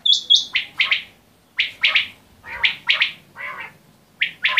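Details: Quail calls come as paired and tripled harsh chirps with pauses in between, opening with two clear, high, flat whistles.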